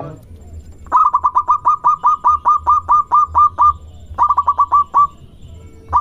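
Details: Zebra dove, local type, lure song to make other doves respond: long rapid string of about fifteen short, even coo notes, a pause, then a shorter run of five, over a low background rumble.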